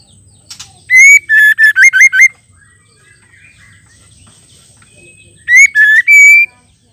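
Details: Calling female white-rumped shama, used to rouse males into song: a long whistle and five rapid short whistled notes, a pause, then a three-note whistled phrase ending in a drawn-out rising tone.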